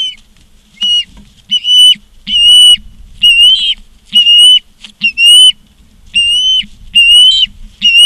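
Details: Osprey recorded at a Charlo, Montana nest on 16 September 2023 in the afternoon, giving slurred, level whistles with a sharp onset, each about half a second long and repeated roughly once a second, over low rustling and knocking.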